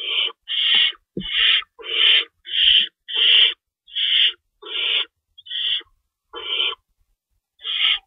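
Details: Feeding time at an owl nest in the early hours of March 25, 2012, with an adult shredding rabbit for the young. Quick, hoarse screeches repeat at a brisk, fairly even pace, with a brief knock near the start.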